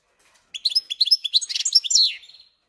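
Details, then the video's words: Caged European goldfinch and canary hybrid delivering a fast, dense phrase of twittering notes that runs into a brief buzzy trill, high-pitched and continuous for about two seconds. "Поющий Гибрид Щегла и Канарейки"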